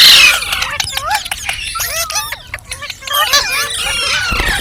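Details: Chirping green parrot giving rapid clusters of quick, twisting whistled notes, some sharply rising, broken by short gaps; a harsh, noisy onset and a low thud near the end.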